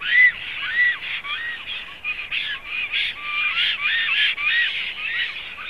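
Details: Nesting black stork in Zemgale, Latvia, 7 April 2016, uttering a chattering sequence of rasping arched notes in a loose rhythm, some starting low and sweeping upward, with no other sounds heard.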